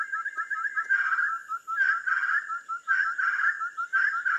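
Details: Ferruginous Partridge (Caloperdix oculeus) singing at a waterhole hide near Kaeng Krachan National Park, Thailand: quick run of mid-pitched whistles, then harsher coarse bursts about once a second, over steady high insect hum.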